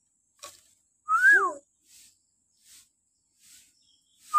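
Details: Single loud arched whistle with lower trailing notes from a common hill myna, part of a morning recording for training captive mynas, followed by faint soft sounds.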